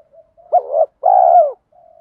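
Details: Single phrase from a spotted dove used as a lure in the 'thổ' voice style: a wavering short note, then a long even coo falling at its close, with faint soft murmurs before and after.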